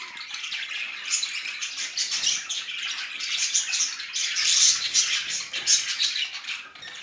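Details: Male budgerigar's affectionate chatter: steady, dense stream of buzzy clicks and squeaky notes, with a few thin whistles standing out near the middle.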